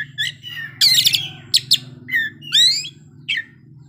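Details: Oriental magpie-robin (Copsychus saularis), song.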